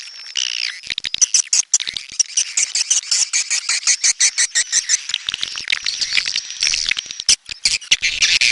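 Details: A steady chorus of swiftlets, high twittering chirps layered with rapid clicking pulses and a thin sustained whistle-like tone running throughout.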